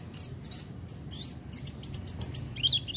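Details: Oriental white-eye singing freely without doping: rapid, thin, high twittering of short whistled notes tumbling quickly one after another, ending in a brief jumbled flourish.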